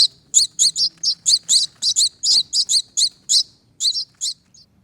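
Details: Hand-fed young finches, two survivors of a brood of five from a front-door wreath nest, giving rapid high-pitched begging chirps, evenly spaced then tapering to a few softer notes at the end.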